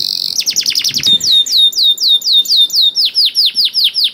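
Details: Singing canary meant to coax reluctant canaries to sing: a fast burst of high sweeping notes, then a steady series of repeated curved whistles about five per second, with a brief faint thump.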